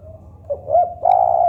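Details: Local spotted dove: a brief low lead note, a rising coo, then a loud, steady, prolonged coo.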